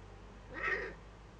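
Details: Young Eurasian eagle-owl at a webcam nest in northern Rhineland-Palatinate, Germany, 15 May 2013, during its first contact with another owl; one short hoarse, breathy rasp with a hissing broadband texture, rising and fading within half a second.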